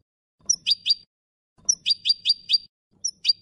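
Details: European goldfinch song in the Malaga style, recorded clean and without faults for young birds to memorise: a high thin whistle, then bright, buzzy twittering notes in quick bursts, repeated every second or so.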